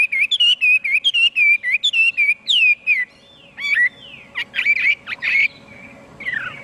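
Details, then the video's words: Chinese hwamei giving a fast run of rolling whistled notes, then a pause followed by a few scattered swooping and harsher notes, faint hum in the background. "tiếng chim hoạ mi hót cực hay"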